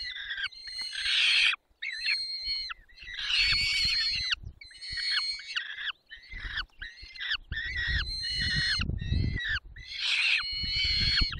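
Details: Peregrine falcon heard while feeding at 10:22 on 20 May 2021 in the Barycz Valley: grating, wailing cries that rise and fall in repeated bursts, with low bumping and scraping noises underneath.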